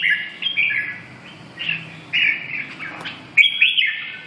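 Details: Clear whistled red-whiskered bulbul phrases, several rising-and-falling notes in short runs with gaps between them, over a quiet low background hum.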